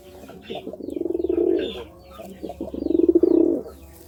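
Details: Courting pigeon gives two long, low, bubbling coo phrases, each swelling in loudness and pulsing rapidly before fading, separated by a short pause.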